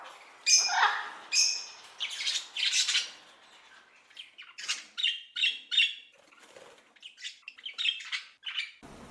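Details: Rainbow lorikeet in Australia: loud scratchy screeches at first, then a series of shorter, quieter rasping notes spaced about half a second apart.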